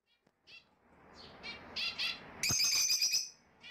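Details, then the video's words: Fischer's lovebirds, played to encourage pairing and mating: after a near-silent start, scattered shrill chirps build into a loud burst of harsh, high screeching notes with a quieter chirp at the end. "تغريد وتحفيز لتزاوج عصافير الفيشر"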